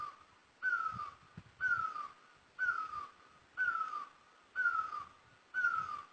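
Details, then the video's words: Great barbet in Asia repeating a strong, mellow note that drops in pitch, six evenly spaced calls about a second apart. "Great Barbet, นกตั้งล้อ, Pehˇ oˍ, Piˇ oˍ loeˇ, Pi luˇ ma"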